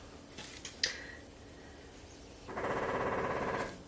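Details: A woodpecker outside pecks the side of a house looking for bugs, a fast, rattling roll of taps lasting about a second, heard muffled from indoors after a few sharp clicks of crafting nearby.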